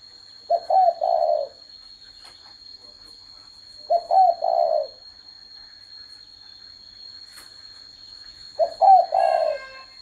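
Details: Spotted dove repeating its three-part coo roughly every three and a half seconds, each phrase low and throaty with a wavering middle hoot; a steady high hum runs throughout.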